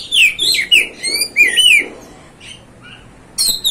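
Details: Provoking song of an Oriental magpie-robin: quick bouncy sequence of looping whistled slurs and chirps, then softer thin notes and a final harsh buzzy burst.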